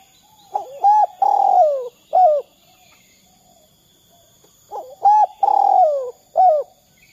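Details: Spotted dove, 'kuk 2' style, kept to coax other doves into calling: two full phrases about four seconds apart, each with rising hooked hoots, a drawn-out buzzy falling coo and a final short hoot.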